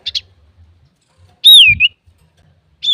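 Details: Male common iora in full song, used as a lure to provoke other birds: two quick high chirps, then a loud, clear whistle sliding down and ending in a short upturn, and another falling whistle beginning at the end.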